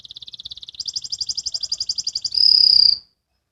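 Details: Young canary practising ngriwik singing: a rapid rolling trill of sharp pulses that jumps higher partway through, then finishes in a pure, bright sustained whistle before going quiet.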